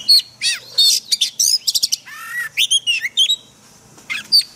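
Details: An Oriental magpie-robin in a daily training recording of its forest song sings a fast, varied run of clear whistles, slurred notes and sharp chips, with short phrases rising and falling and brief pauses between.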